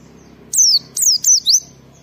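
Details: White-eye delivering ngalas-style song as a lure for other white-eyes: four loud, thin whistles, mostly falling and one rising, packed within about one second, against a soft low background hum.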